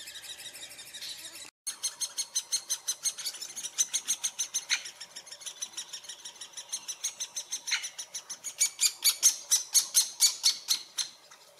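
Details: Rapid high chattering calls repeated over two a second, rising and falling in loudness, from a great spotted woodpecker nest in Furuberget at Hamar, Norway, summer 2017; recorded handheld with a Panasonic Lumix FZ2000.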